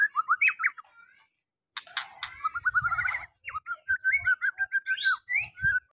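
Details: White-rumped shama song used to coax a rarely singing shama to reveal its repertoire: fast slurred whistles, a buzzy high rattle, then varied whistled phrases over faint low knocking.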